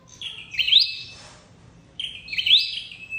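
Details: Two bright, high upslurred chips from a red-headed flowerpecker, about one and a half seconds apart, each with a thin trailing buzz; recording meant as a lure for trapping this bird.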